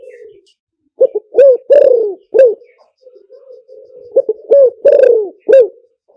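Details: Spotted dove lure call for wild doves: loud, low hooting coos in two phrases, each a quiet murmur then a short burst of three or four accented coo notes, with soft cooing between.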